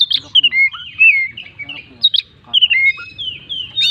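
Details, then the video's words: Kacer in energetic full song with imitation phrases: rapid sequences of sweet, slurred whistles, upswept and downswept notes, and short chips in quick bursts, repeated with brief pauses, over a faint low hum. "burung Kacer gacor full isian"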